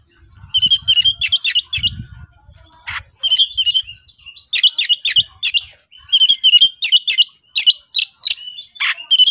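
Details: Highly excited 'konslet' Oriental magpie-robin calling out a rival for a fight: clustered bursts of sharp, high chirps separated by short gaps, a faint sustained high whistle running underneath, and low thumps early on.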